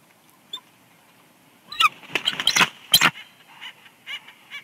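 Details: Wild bald eagle pair at their nest at Big Bear Lake, California, on 4 March 2021 during incubation, exchanging calls as one bird arrives. Quick bursts of high, sharp chirping notes run together for about a second and a half, then a few softer chips.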